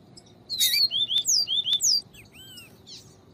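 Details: Viviti song of a Double-collared seedeater with female calls, used to warm up a male's singing. A single quick phrase of high sliding whistles, ending in a softer rising and falling note.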